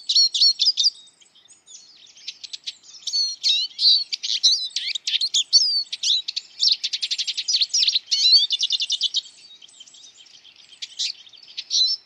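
A Eurasian siskin twitters a fast, high jumble of chirps, trills and buzzy rattles with a few clear whistled notes, almost without pause.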